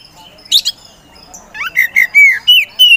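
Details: Oriental magpie-robin (poci type), a captive contest-style songbird used to provoke rivals, gives one harsh squawking burst, then after a pause a string of loud, pure, slightly descending whistles.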